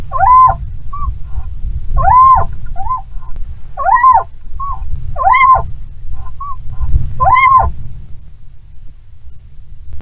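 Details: Little owl pair mating on a branch, sheltered from hard wind, Bommelerwaard, Netherlands, 16 February 2022: five loud, nasal, arched calls about every 1.7 seconds, with short softer notes between, over constant low wind rumble.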